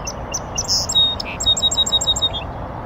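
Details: A North American Song Sparrow sings from a bush on a northern USA oak savanna beside a beaver pond: scattered high opening notes, a low buzzy burst, then a quick run of about eight bright repeated chirps.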